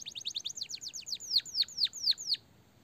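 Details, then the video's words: Canary training song filled with blackthroat and sanger phrases, meant as a master for young canaries: a run of about twelve clear, high, sharply falling whistled notes, quickening then slowing, ending abruptly. "burung kenari gacor panjang full isian blackthroat dan sanger suara jernih masteran kenari paud"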